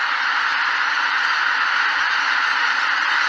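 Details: Massed greater white-fronted geese departing the roost at Miyajima-numa, 2023, producing an unbroken, loud blur of overlapping calls, a constant clamour without clear individual notes.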